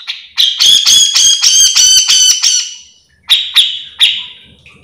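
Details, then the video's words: Continuously singing grey-cheeked bulbul (cucak jenggot), recorded as a master track for other birds: a loud, harsh, grating series of rasping notes for two seconds, a brief silence, then three sharp emphatic calls. "Cucak jenggot gacor full mbeset"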